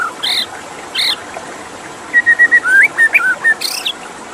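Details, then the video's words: White-rumped shama song beside running water: a few loud broad chirps, then a series of even whistled notes followed by a wavering, slurred phrase. "Suara KICAU MURAI BATU dengan Suara Air"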